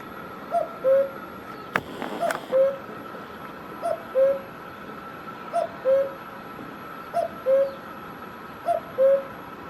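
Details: Cuckoo from Himachal Pradesh, India, calling six times at steady intervals of under two seconds, each a short high note then a lower held note; a brief knock near the start and a continuous hum.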